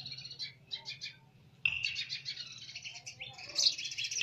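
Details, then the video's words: High chirps from a baby sparrow: a few quick separate notes, then a louder, dense run of shrill twittering that keeps going to the end, with a steady low background hum. "Baby Sparrow Sound"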